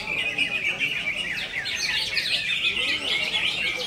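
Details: Greater green leafbird singing in konslet style: a dense, unbroken stream of rapid chirps, twitters and buzzy trills, high and bright throughout, with no pauses.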